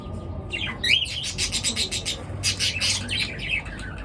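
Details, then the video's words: Several birds chatter in the morning, giving one clear looping whistle followed by a dense run of rapid, scratchy chirps pulsing several times a second. "পাখির কিচির মিচির ডাকে সকাল বেলার ঘুম ভাঙা"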